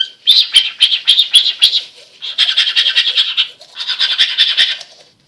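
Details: Male cockatiel mimics the noise of brushing teeth in three bursts of rapid, harsh scrubbing strokes, separated by short pauses.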